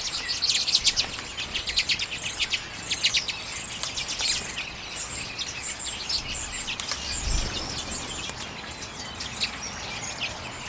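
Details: Common redpolls feeding on sunflower seeds in late January 2022, recorded with a Canon EOS M50 camera; high, dry twittering chirps from several birds overlap in quick, uneven bursts throughout, with faint low background rumble.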